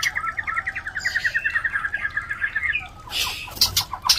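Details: White-rumped shama mating call played to prompt other shamas to breed: a fast, even series of repeated chirping notes for about three seconds, ending in loud harsh bursts.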